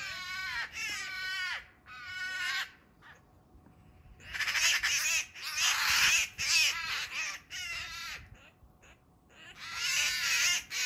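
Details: Harsh, nasal squawks from a Eurasian magpie fighting off an attacking Eurasian sparrowhawk in a backyard, given in irregular rasping bursts separated by brief pauses, some bursts dense and scratchy.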